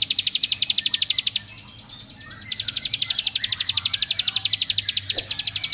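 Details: Bar-winged prinia from rice fields, its song meant to make other males aggressive, gives a rapid run of clipped high ticking notes, pauses briefly, then resumes a long, evenly spaced rattling series.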